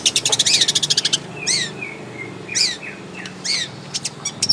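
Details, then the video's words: In its natural habitat, a long-tailed shrike gives a fast stuttering series of high ticking notes, then separate downward-sweeping chirps and short whistles spaced about a second apart, over a quiet outdoor background. "SUARA BURUNG CENDET DI HABITAT ASLINYA"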